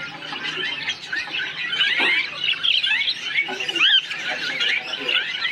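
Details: Colony of parakeets chirping together: dense overlapping squawks and short chirps, many birds calling at once with no pause, a few clearer upslurred notes standing out near the end.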